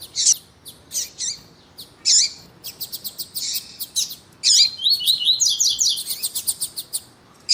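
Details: Double-collared seedeater male in tui tui song with a calling female, used to excite a kept male; spaced sharp chirps give way to rapid chirp bursts and a long sequence of whistled slurred notes.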